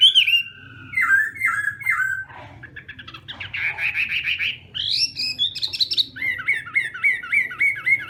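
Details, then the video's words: Chinese hwamei in morning contest singing: long drawn whistles, then a rough rattling passage, then a run of quick repeated downslurred whistled notes, loud and varied. "Hoạ Mi Hót Đấu /hoạ mi hót sáng luyện giọng kich bổi sổ giọng chim hót hay mỗi ngày/"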